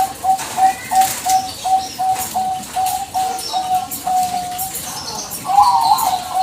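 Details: Bangkok-type zebra dove, used as a lure to make other birds answer, giving a long run of short, even coo notes at a steady mid pitch. The notes repeat about three times a second, ending in a slightly higher, wavering phrase.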